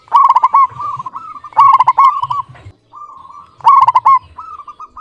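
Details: Local zebra dove singing with a clear voice: three loud, rapid stuttering coo bursts, each running into softer rolling coos, with low thumping rumbles under the calls.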